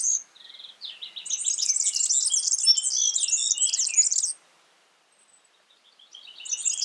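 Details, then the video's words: Wild yellow-fronted canary opening with a trill of evenly spaced short notes, swelling into a loud rapid high warble, pausing about a second and a half, then starting again. "Suara burung Mozambik gacor di alam"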